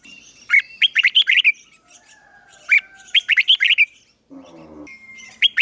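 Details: Decoy red-whiskered bulbul trained to sing and draw wild birds in to fight: two quick bursts of bright, bubbling notes about two seconds apart, a low buzzy mechanical sound, then a final chirp.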